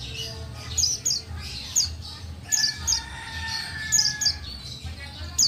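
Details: Female white-eye of the buxtoni form calling, used to prompt lazy males to sing and answer: sharp, high, downward-slurred chirps, often in quick pairs, scattered irregularly over a low background hum.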